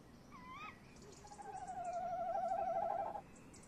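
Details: At a nest box camera at 21:45 in late May 2015, a male tawny owl rolls: a short rising note first, then a long vibrating trill of about two seconds that stops abruptly.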